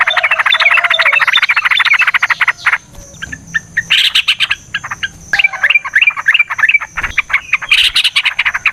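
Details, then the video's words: Yellow-vented bulbul in a long, rapid fighting song used to provoke other birds into answering: dense stuttering chatter at first, then a looser run of short bubbly notes with sharp clicks between them. "TRUCUKAN GACOR TARUNG ROPEL PANJANG"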